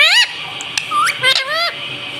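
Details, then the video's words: Pet talking parrot indoors in a small room, a green bird known for saying "mummy" and "mitthu": loud harsh squawks with bright, rising and falling speech-like syllables in quick succession, some sharp clicks between. "Ye mittu mummy bolne wala tota [] Talking Parrot"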